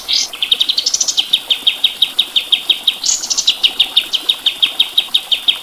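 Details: High, rapid chirping from a white-eye (kapas tembak), a masteran recording: steady ticking notes about three per second, interrupted twice by louder rising buzzy flourishes.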